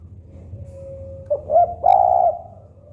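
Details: A faint drawn-out hum gives way to a spotted dove's short soft note, a rising hoot and a long, vibrating low coo that fades out.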